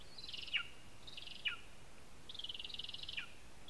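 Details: Lesser spotted eagle at its nest in a spruce in Zemgale, Latvia, filmed by a live nest camera: three buzzy, slightly wavering high calls, each ending in a sharp downward click, with steady background hiss.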